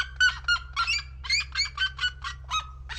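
A red-legged seriema gives loud, harsh yelping notes, about three or four a second, in a fast run, over a steady low hum.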